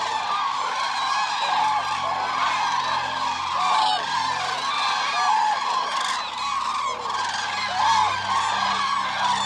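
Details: A dense, continuous chorus of many Eurasian cranes trumpeting together, individual calls merging into an unbroken rolling clamour.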